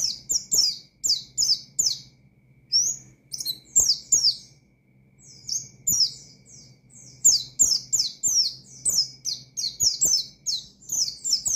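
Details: Oriental white-eye delivering a fast, excited 'ngalas' song meant to rouse and challenge rival birds; high sharp chirps and descending slurred notes tumble in dense runs, separated by brief silences, over a faint steady low hum.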